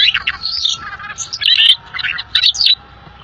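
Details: Rare songbird in lively, full song: quick, busy bursts of high chirps, trills and short whistled notes tumbling one after another, with a brief pause before a final rush of sharp twitters.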